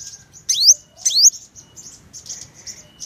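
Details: Purple-throated sunbird giving two loud, high, rising upslurred notes about half a second apart, followed by soft faint high twittering.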